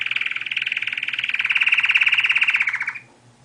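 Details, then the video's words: Canary song, a fast even trill of rapid repeated notes around the upper-middle register, held for about three seconds then stopping abruptly. "صوت طائر الكناري اجمل من اي اغنية"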